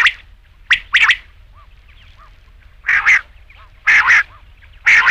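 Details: Rain quail calling with harsh, broadband paired notes, each double burst repeated roughly once a second, with faint soft chirps in the quiet gaps between.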